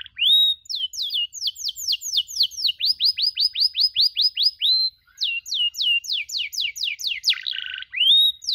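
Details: Canary training recording for young canaries learning the cuit cuit chirp: long runs of fast downward-sweeping chirps and a brief buzzy trill, clean with no background noise.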